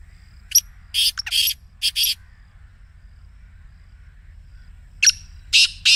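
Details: Black Francolin in excited voice, played to a caged francolin to make it call: a rapid cluster of rough, rasping notes, a long silence, then a further few grating syllables.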